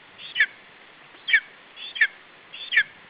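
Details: Estonian nest, 21 July 2012: a lesser spotted eagle chick defends its food against an adult. Four short, high, falling squeaks, each preceded by a softer note, spaced unevenly across three seconds.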